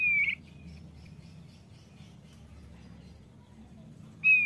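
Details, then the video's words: Male thick-billed white-eye, a diligent singer, gives two loud, clear whistled notes, one at the start and one at the end, with faint high chips and near-quiet between. "OPIOR PARUH TEBAL JANTAN YANG RAJIN BUNYI"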